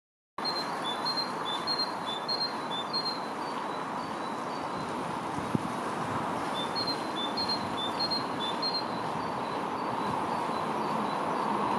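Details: A coal tit sings thin, high two-note phrases repeated quickly in short bursts over a steady roar of traffic or rail noise; recorded at Kurkimäki, Helsinki, Finland, on 28 March 2021.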